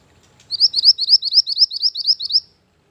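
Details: {'caption': 'High, steady string of about fourteen clipped upslurred chirps from a mantenan gunung, used as a lure and master song for training, lasting around two seconds on one even pitch, with no other sounds.'}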